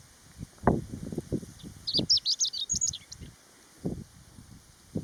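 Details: Chestnut-eared bunting singing on the Utsukushigahara highland plateau, Nagano, Japan, early summer, 15 June 2020, strong sun with a cool wind. It gives a short, rapid, high twittering phrase of about one second, with gusty low wind rumbles before and after.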